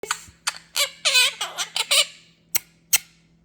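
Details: Pet quaker parrot talking indoors in a small room: a run of raspy, squawky, speech-like syllables over about two seconds, then two sharp clicks, with a faint steady hum underneath.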